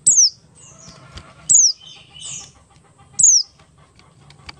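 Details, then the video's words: Buxtoni-type Oriental white-eye in ngalas style, meant as a lure to make other white-eyes sing: three loud, shrill downward-sliding whistles spaced about one and a half seconds apart, with brief high twitters between them and a faint low hum. "pleci Buxtoni ngalas 12345 pancingan pleci bahan agar cepat bunyi"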